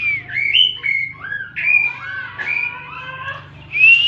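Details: Oriental magpie-robin (kacer) song in the tembakan style: a quick run of clear whistled phrases, some rising and some falling. The phrases come in bursts with short breaks, ending on a loud upward-sliding whistle.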